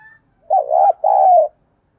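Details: Caged spotted dove acting as a decoy for wild doves, delivering a clear low coo phrase: a brief two-part wavering note, then a longer, level, throaty coo, with no other sounds around it.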